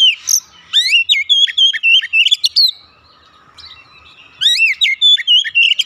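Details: Oriental magpie-robin (kacer) singing during daily practice meant to get a bird that has stopped singing going again: a quick run of slurred, rising and falling whistles, a brief silence, then another rapid whistled burst.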